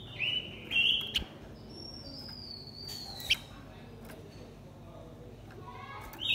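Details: Blue-winged minla, male and female, singing a decoy song meant to provoke other birds: a burst of bright, warbling notes in the first second, then a long thin high whistle that slowly falls, with a sharp click and quieter notes near the end.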